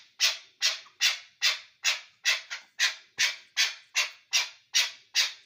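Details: Chukar partridge from Ishkoshim uttering harsh, raspy notes repeated about twice per second in a steady, even rhythm, each note sharp at the start and fading quickly.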